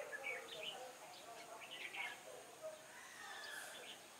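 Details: Red-whiskered bulbul used as a decoy bird for trapping, recorded 21 October 2017 in cold, bad weather. Clusters of short, bright chirped and whistled notes crowd the first two seconds, then fade to sparse quieter notes over steady background hiss.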